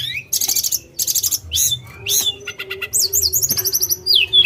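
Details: Tledekan gunung singing a fast, varied high medley: sharp chirps, buzzy notes, a quick ticking rattle and a series of slurred whistles near the end, with a steady low hum beneath.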